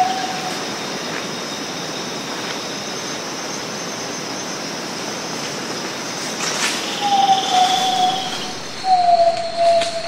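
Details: Zabele tinamou (Crypturellus zabele) song: long, pure, mid-pitched whistles that fall slightly, one brief note then two drawn-out ones near the end, over a steady insect hum.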